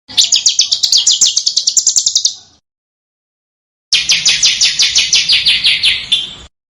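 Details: Small songbird on a cage bird master recording for training contest birds: two long rapid trills of sharp repeated high notes, about three per second, separated by a pause of silence.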